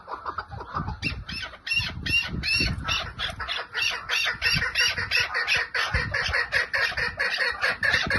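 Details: Chukar partridge calling in 'lal' style: a continuous run of harsh, rasping chuk notes, rapid and somewhat uneven, over steady low-pitched rumble and background noise.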